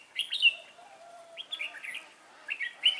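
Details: Trainee decoy red-whiskered bulbul singing during a trapping session on 11/12/2016 to attract wild birds; three bursts of bright, chattering whistled notes separated by pauses, with a faint thin steady tone between them.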